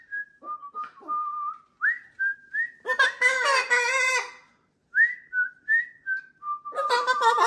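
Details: Macaw flock playing in a kitchen, a change of environment that keeps the parrots happy: runs of short whistled notes, some rising, broken by two bursts of harsh, grating screeches.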